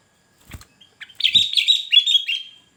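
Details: A sooty-headed bulbul sings to draw in wild birds and rivals. A few soft clicks come first, then a lively run of four or five bright, slurred notes fading out in a thin trill.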